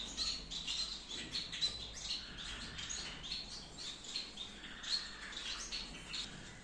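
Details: Gouldian finches in an aviary breeding setup in Peshawar, KPK: many birds chatter in quick, high, clipped chirps that overlap continuously, with a faint low hum underneath.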